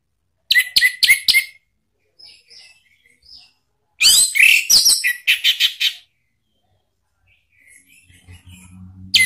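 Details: Orange-headed thrush lure song ('pancingan ngeplong') for prompting a pet bird to reply: quick sharp chirped notes, then a dense, loud warbled phrase of rapid repeated elements, soft twitters between, and a low hum at the end.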